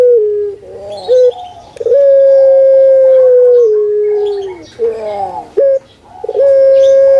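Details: Captive puter pelung dove, a bird well known in Java, Indonesia, kept as a singing bird: short guttural rolling notes then a long, steady, drawn-out coo held about two seconds and sliding slightly down, repeated, clearly recorded with no other sounds.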